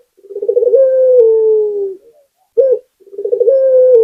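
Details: Barbary dove of the local puter kind: a rolling throaty trill lengthens into a long, slowly descending coo, then a short sharp note and the start of another rolled phrase.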